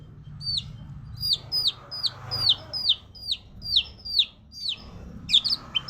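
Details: Magpie-robin song in the suara kuntilanak (ghost voice) style: sharp, downward-slurred whistled notes repeated steadily about every half second, high and clear above a low murmur of background noise.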